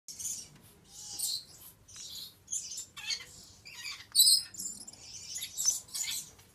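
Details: Male Stella's lorikeet, subspecies Charmosyna papou goliathina, giving short harsh high screeches in scattered bursts, some louder and sharper near the end, over a quiet low background hum.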